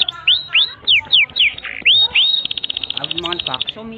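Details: Canary tutor song: sweeping downward whistles repeated several times, a rising glide, then a fast buzzing trill of tiny chirps.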